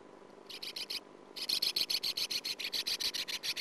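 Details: Sand martin at the nest, 2009 nest camera recording: a short run of five gritty rasps, a pause, then a long fast train of regular buzzy rasping notes, about three or four per second.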